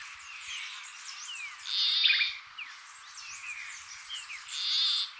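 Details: Peruvian plantcutter, an endangered bird of northern Peru, utters two nasal, rasping, frog-like buzzes about three seconds apart over a steady background of thin, sliding whistles from other birds.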